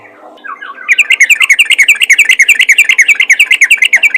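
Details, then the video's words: Yellow-vented bulbul calling other bulbuls: soft opening notes, then a fast, even rattle of sharp bright chirps, about three or four per second. "panggilan burung trucukan ropel gacor memanggil trucukan lain"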